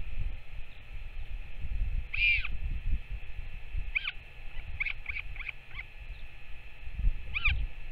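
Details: Northern royal albatross at feeding time, parent with chick, 21 May 2024: one drawn-out arched call, then a series of brief chirping notes, with a final call, over constant wind noise.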